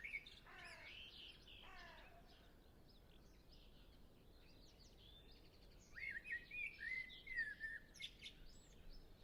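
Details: Common blackbird singing with other birds in the distance. Rasping, stuttered sounds come early, and a clear, warbled blackbird phrase of fluted, slurred notes arrives near the end.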